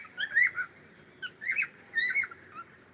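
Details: Cockatiel singing: short warbled whistled phrases around the middle pitch, in three bursts with brief pauses between, clear against a quiet background.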